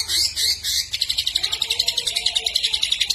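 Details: Greater green leafbird singing loudly with imitated fills: a few high, sharp, squeaky notes, then an even, fast series of pulsed high chips at about four per second.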